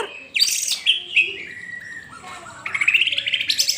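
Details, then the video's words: Rich, fast White-rumped shama song used to prompt a pet bird to sing: sweeping whistles and chattering notes, ending in a quick run of repeated trilled notes. "Murai batu anda auto bunyi setelah dengar ini"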